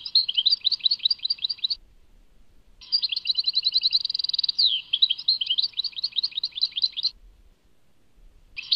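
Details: Tadmait-labelled song of a European goldfinch: a twittering phrase, a pause, then a long run with a rapid even trill, swooping whistles and chattering notes, and the start of another phrase.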